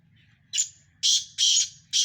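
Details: Black francolin of the Sindhi type, one of five birds in a contest, giving a short series of four harsh, scratchy notes. The second and third are long and grating, the first and last clipped, over a low background hum.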